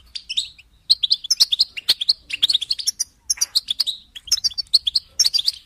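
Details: European goldfinch singing for listening and bird training: a rapid, continuous stream of bright tinkling twitters and short chirps, high and sharp, with clicky notes mixed in and brief pauses between bursts; no other sounds.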